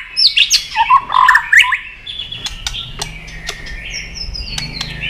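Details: White-rumped shama (chòe lửa) provoked into a fighting song, tail flapping: under two seconds of loud, varied whistled and chattering phrases jumping between low and high notes, then a quieter stretch with sharp clicks and a faint high trill.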